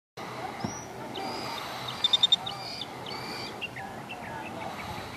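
Killdeer giving thin, high, shrill notes, some slurring downward, with a quick burst of four sharp ticks midway, over a steady background hiss.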